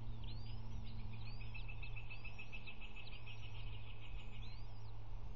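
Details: Three bald eagle eaglets during an early morning feeding at the nest, March 18, picked up by a nest camera: thin, high whistled chips rising and falling, repeated over a steady low hum.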